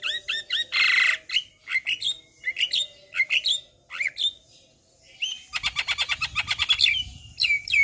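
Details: Javan myna singing vigorously in a varied training and lure song: short looping whistles and chirps, one harsh burst, then a quick rattling series of clicks and a final clear whistle.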